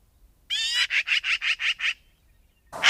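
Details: A short magpie chatter: a raspy squeal leading into six harsh, rapid chattering notes, then silence before a loud noise at the very end.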